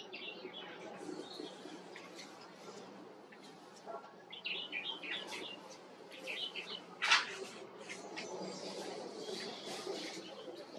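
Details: Bubbly, fast chirping phrases of a white-cheeked bulbul, louder around the middle, mixed with sharp clicks and a constant rushing background noise.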